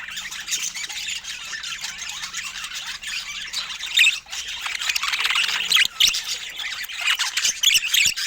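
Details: Steady budgerigar chatter fills the recording: many overlapping squeaky notes and quick warbles, with a few brighter piercing chirps standing out around the middle and near the end.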